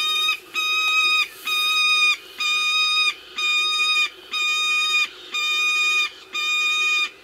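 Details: Peregrine falcons at an eyrie in the Ox Mountains, County Sligo, Ireland, 25 May 2016, late evening, adults feeding three-week-old chicks: long, level, harmonic wails about a second each, repeated roughly once per second.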